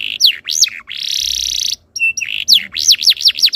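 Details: Canary tutor song used to get other canaries singing, with looping whistled sweeps, a long buzzy held tone, a brief pause, then rapid repeated downward-curving whistles.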